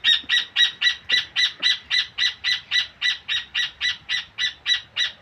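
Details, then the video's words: A rufous hornero trills in a long, steady series of loud, harsh, evenly spaced notes, nearly four per second, keeping a constant pitch and rhythm throughout with little else audible. "Pájaro Hornero 🤎 trinando"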